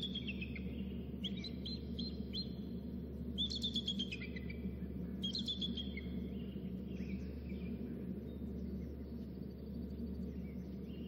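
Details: An eagle gives high, thin chittering calls in bursts every two seconds or so, some sliding downward, over steady low wind rumble; at dawn near the nest, the father calling before floating into the nest, a third eagle heard. Finding: eagle.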